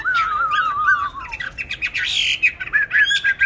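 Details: Songbird kept in a cage, bought 19 May 2020 and steadily fed, said to sing anywhere at any time. A wavering whistled phrase falls in pitch, followed by busy, overlapping chirps and a short harsh burst.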